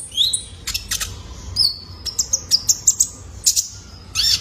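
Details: Juvenile male Kolibri Ninja sunbird giving a training call for cage birds: a high rising whistle, then a string of crisp, evenly spaced high chirps.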